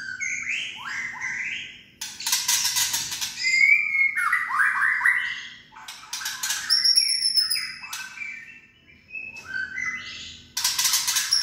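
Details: White-rumped shama (Copsychus malabaricus) rattling song, used to provoke other shamas into singing: rich, varied whistled phrases mixed with harsh, crackling rattle bursts in quick succession, over a faint low hum.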